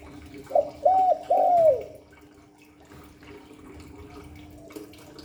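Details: Spotted dove giving one Hạp Bổi style phrase of three soft, hollow coos rising in length, then several seconds of faint room noise and a steady low hum.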